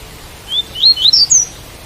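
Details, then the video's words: Double-collared seedeater singing the tui-tui song style, recorded with rain sound: one short phrase of about four clear whistled notes, each slurring upward and rising step by step to a higher final note, over faint steady background hiss. "Coleiro Tui Tui - Com Som De Chuva"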